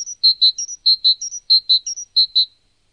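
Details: Great tit, shown in different postures with different songs: crisp high two-note phrases repeated four times in quick succession, each pair ringing and clear against a silent background.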